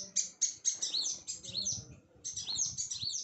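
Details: Sunbirds at a home: rapid, thin, very high twittering chirps and quick sweeping notes, roughly four per second, in two runs split by a brief pause.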